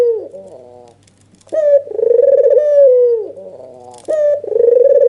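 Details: Red-eyed white dove, also called albino, giving an emotional nodding call to provoke a rival. After soft trailing notes, a long rolling coo rises sharply, holds, then dips, and another coo begins.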